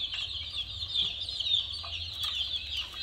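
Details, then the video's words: Several colorful chicken chicks with a mini car give a steady stream of thin, high chirps. The peeps blur into an unbroken shrill twittering, with a few louder notes poking through. "Murgi Chicks Chirping Sounds"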